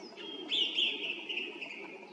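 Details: Song thrush singing from a treetop by a road in Zarechny, 18 April 2021, evening (18:50): a brief, bright whistled phrase, a high ringing trill that holds steady and fades slightly, over a low hum.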